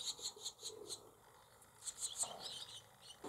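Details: Barn swallow nestlings in a cowshed holding several nests, 28 July 2024: quick series of thin, high chirps at about five per second, then a scratchier cluster of calls.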